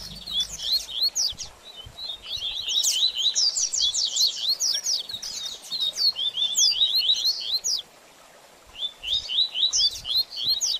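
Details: Caged double-collared seedeater song used to stimulate a bird after its moult, in the rapid chattering style called baderninha: fast runs of high, sharp slurred notes in long bursts, with a quiet pause near eight seconds before singing resumes.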